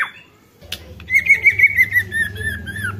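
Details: White-rumped shama sound used to spur other shamas to sing: a steady buzzy rattling trill held at one pitch for about two seconds, over a low background hum.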